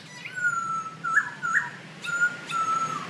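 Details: Nok so hu birds calling and dancing together in front of a house: clear steady whistled notes, each held about a quarter second, repeated in a loose series with short slurred inflections between them.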